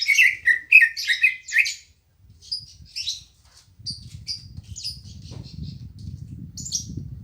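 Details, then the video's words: Green leafbird (cucak ijo) at a house, opening with loud rapid whistled and chattering notes, then softer scattered high chirps over a low rumbling background noise in the second half. "Suara Burung Cucak Ijo Gacor Apik Merdu"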